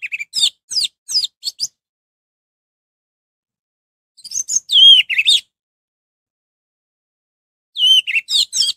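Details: Three separate phrases of orange-headed thrush song, played to rouse other anis merah into song. Each is a rapid series of varied chirps and whistles with downward slurs, separated by pauses of about two seconds, against a quiet background.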